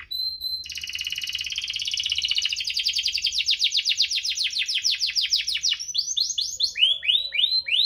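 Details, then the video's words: Canary in full chirping, rolling song, used to prompt canaries that rarely sing: a short whistle, then a long fast pulsed roll, finishing with repeated downward-slurred notes. "Kenari Gacor cuit-cuit ngerol, pancingan untuk burung kenari malas bunyi"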